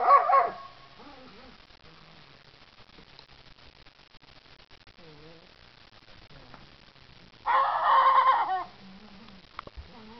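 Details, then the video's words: Young Rhode Island Red rooster, three and a half months old, finding his voice with a first crow: one loud hoarse harmonic crow of about a second near the end, a shorter squawk at the start, soft voices between. "Our rooster found his voice today. Rhode island red 3 1/2 months"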